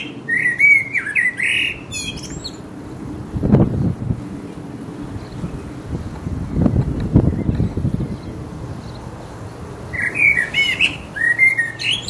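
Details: A resident blackbird gives its mating song, two mellow, fluting phrases ending in high squeaky twitters, separated by a pause filled with low rumbling wind or background noise.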